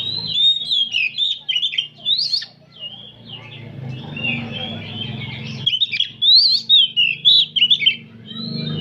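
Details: Oriental magpie-robins singing together in the afternoon, with loud, varied whistles and harsh chattering notes in bursts over a low background hum.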